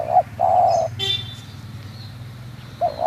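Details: Spotted dove, a local bird from Munjung Agung village, Kramat, Tegal, gives a long low coo after a short note, then a new phrase begins at the end; a brief high-pitched noise sounds between them.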